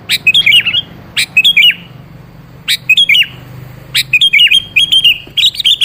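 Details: Lure recording of sooty-headed bulbul song for getting a seldom-singing bird to respond: a string of five lively phrases, each a sharp burst followed by quick bubbling whistled notes, repeated roughly every second, with low hum underneath.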